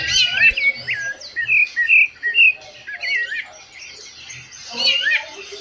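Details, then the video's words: Rufous-bellied thrush singing in the breeding season: warbled, whistled phrases shifting up and down, dense and overlapping, with a busy chorus of higher chirps from other birds and faint low rumble. "Sabia laranjeira cantando"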